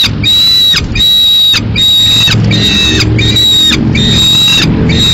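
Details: Lone peregrine falcon chick in Madrid, 22 May 2016, demanding food after the male brings a swift that the female takes to eat at a window: about six harsh, drawn-out screeches, each with a slurred downward tail, with faint background rumble.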